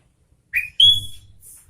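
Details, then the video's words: Sooty-headed bulbul giving a short vigorous phrase: a rising whistled note followed at once by a loud, ringing, slightly falling whistle with overtones. "Suara Burung Kutilang Gacor Garuda"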